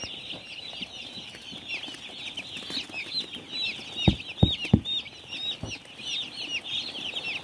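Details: Farm chicks in a loud peeping chorus of high downslurred chirps, with several sharp tapping knocks around the middle.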